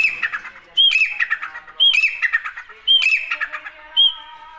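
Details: A partridge (teetar) gives harsh, squawking calls, each opening with a sharp whistled note and trailing into raspy chatter, repeated about once a second.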